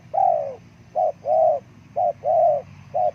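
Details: Spotted dove, used as a call to lure wild forest birds, giving loud cooing phrases around 600–800: a short coo followed by a longer drawn-out coo, repeated about once a second with a low background hum.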